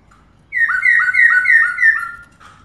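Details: A female black-throated laughingthrush calling to stimulate males gives a quick run of about five clear, slurred whistles, each dipping in pitch and overlapping, lasting under two seconds.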